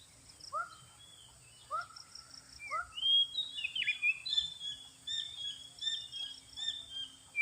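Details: Oriental magpie-robin lure sound for attracting birds: three low, clear whistled notes about a second apart with fainter lower echoes, then a rich, rapid run of varied high whistles, slurs and chirps. A faint steady high hiss runs throughout.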